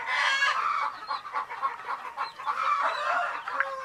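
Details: Group of baby chicks with a hen, sleepy; rapid overlapping cheeps and trills, quick and uneven, forming a busy, bright chatter that dips briefly and then picks up again.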